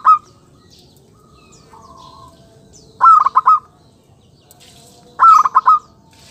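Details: Zebra dove phrases, offered as a lure call for wild birds: a clear opening note, then three or four quick, ringing notes, repeated about every two seconds over a quiet background.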